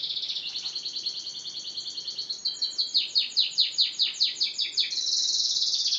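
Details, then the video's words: Yellow canary keeps up a lively song. It opens with a fast pulsing high trill, moves into evenly spaced falling chip notes about four per second, and closes with a dense, sustained buzzy roll. "canary / kenari kuning / yellow gacor"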